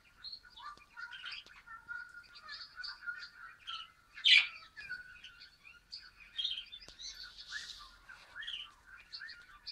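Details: Male budgerigar, very active, on its first day at a new home with a flock, 14 December 2013: continuous warbling chatter of rapid tweets and squeaky notes, with one sharp loud chirp near the middle.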